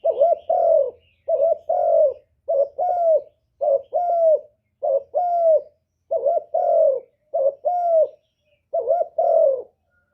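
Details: Lure spotted dove cooing steadily, about nine phrases in ten seconds, each a brief warbled lead-in joined to a drawn-out, soft, slightly falling coo; faint low hum early on.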